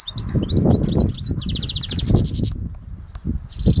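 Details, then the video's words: A goldfinch x canary hybrid on Syros gives a quick twittering phrase that runs into a fast, buzzy, pulsed trill, then falls silent before a brief high note, with strong low-pitched background rumble throughout. "Carduelis carduelis x Canary with hat singing"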